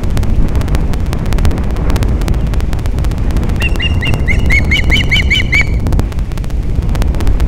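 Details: A mating osprey at Captiva, Florida, on 13 December 2021 in the morning: after wind-buffeted quiet, a quick run of roughly ten sharp, rising whistled chirps.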